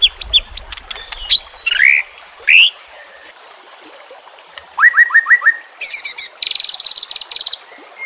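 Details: White-rumped shama song used as a training and lure recording for reluctant murai batu, with nature and water sounds; varied phrases of clipped chips and swooping whistles, a short series of rising notes, then fast buzzy high trills.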